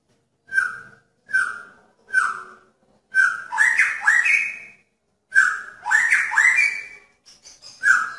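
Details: Male magpie-robin calling to a female in a pairing cage: three short, clear, falling whistles spaced under a second apart, then longer rising and looping whistled phrases, with a further burst after a brief pause.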